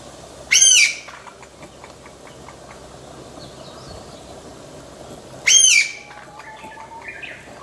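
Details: Chinese bamboo partridge (Bambusicola thoracicus) in the Omuro highland villa area, Izu, filmed close up, giving its single-note call rather than the "chotto koi" phrase: two loud, shrill, ringing notes about five seconds apart, faint other bird chirps between.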